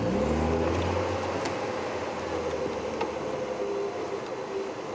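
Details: Vehicle engine hum and mechanical noise throughout, without any animal calls.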